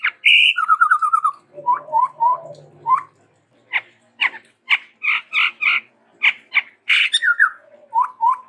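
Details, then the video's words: Chestnut-rumped babbler, said to be endemic to Sumatra, singing energetically with variation: a buzzy note and a quick trill, lower whistled notes, then many loud harsh chatters, closing with repeated whistles. "TEPUS TUNGGIR MERAH GACOR VARIASI"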